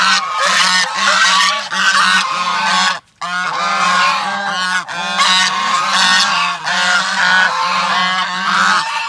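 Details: A crowd of geese honking nonstop, with harsh, overlapping calls that form a thick, almost unbroken wall of sound, cut by one short silence just after the third second.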